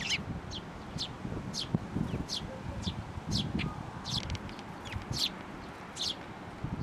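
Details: At a Tenmangu shrine on 16 May 2024, a parent sparrow that came to be fed becomes aggressive, giving clipped bright chirps in an uneven series, some doubled, with low rustling and rumble beneath.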